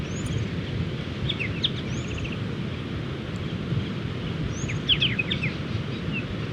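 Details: Wild Striated Pardalotes, many birds, calling near their nesting dunes on the Mid-North Coast of New South Wales while flying about. Bursts of short, bright chip notes come in clusters, with a thin, high whistle now and then, over rolling wave noise.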